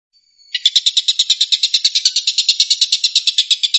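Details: After a brief thin lead-in note, a stork-billed kingfisher (tengkek buto) breaks into its 'tembakan' rapid-fire song, a string of fast, raspy, evenly spaced pulses.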